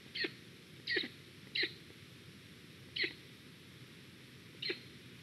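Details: Black stork at its nest in Estonia in 2021, reacting to a squirrel, gives five short, harsh, hissing bursts spaced unevenly over about five seconds, with a faint steady background hiss.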